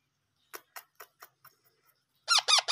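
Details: Parrot chicks being hand-fed: a run of soft, rapid squeaks, then a burst of loud, harsh, rasping begging calls at the end.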